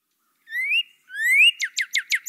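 Northern Cardinal song: two clear whistled notes slurring upward, then a quick series of five sharp down-slurred chips, about one every fifth of a second.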